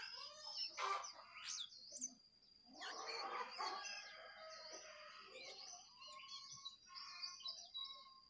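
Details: Wild and caged sooty-headed bulbuls in a singing duel: loud harsh chattering bursts mixed with clear whistled notes, pausing between phrases.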